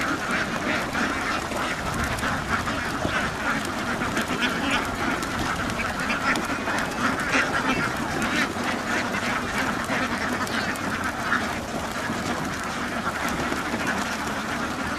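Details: A large group of farm ducks keeps up a long, dense chorus of overlapping harsh quacks, steady in loudness with scattered sharper calls.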